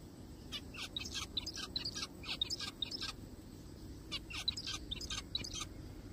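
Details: Zebra finch in a forest, said to be a little bird crying: rapid clusters of short nasal calls and high chirps in two bursts, with a brief pause near the middle, over faint hiss.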